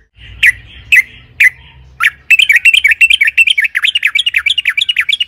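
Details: Sooty-headed bulbul song used to provoke others to sing: three spaced sharp notes, then a fast tumbling run of bright chirping syllables that grows quicker and denser toward the end, with a faint low hum beneath.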